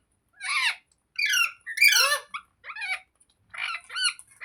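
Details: Green parrot, a rose-ringed parakeet, talking in a small room: six separate hoarse, nasal syllables spaced about half a second apart, each with stacked harmonics and a wavering, speech-like contour.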